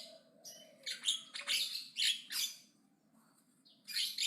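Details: Javan myna chattering aggressively and loudly, a few rough squawking bursts with short whistled notes, then a pause and another harsh burst.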